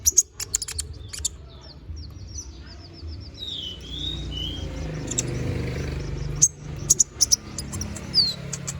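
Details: Konin bird in full varied song, offered as tutoring material for magpie-robins. Sharp chirps open the passage, then soft high whistled slurs and twitters follow, later more clipped chirps, over steady low rumbling background noise.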